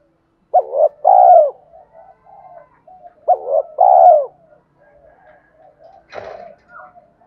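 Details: Spotted dove cooing in the 'thúc' style for luring wild doves: two phrases of a short hoot plus a long falling coo, then quiet soft notes and a brief click-like noise.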